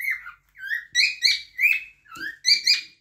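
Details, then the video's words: Cockatiel singing a phrase of about eight bright, harmonic-rich whistled notes. Some slide upward and others drop, with short gaps between them and a brief pause near the middle. "غناء طائر الكوكتيل"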